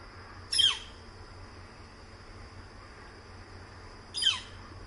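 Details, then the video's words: Northern flicker calling at close range around 10 am: two harsh, downslurred calls about three and a half seconds apart, each dropping quickly from high to low, with a steady high hiss and low rumble behind. "Northern Flicker, Calls Quite Close"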